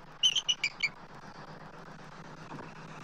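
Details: A brief run of five sharp, high, falling chitter notes from an adult eagle at its Southwest Florida nest, 12 March 2024, during an immature eagle's circling of the nest tree, followed by background hum and rustle.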